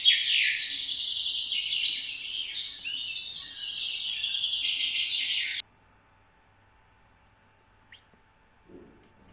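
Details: Parrots chattering in a fast stream of high, overlapping chirps and twitters for about five and a half seconds, then breaking off abruptly into near silence with a faint click or two.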